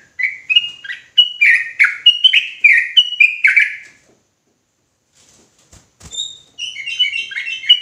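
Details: Sooty-headed bulbul pouring out agitated ropelan song: a four-second stream of rapid, bubbling downslurred notes, a short silence broken by a couple of sharp clicks, then the fast chattering resumes.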